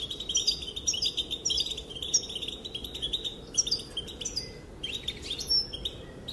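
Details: Calling female European goldfinch, her voice said to make males dance: lively high twitters, buzzy chips and short slurred notes in tumbling bursts, with a faint hiss in the background.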